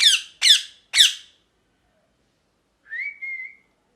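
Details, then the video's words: Parrot calling: three loud, harsh, raspy squawks in quick succession, about half a second apart. After a silent pause comes a short high whistled note that rises and then holds level. "Parrot Chirping Sounds | Natural Parrot Sounds | Parrot Calling Sounds"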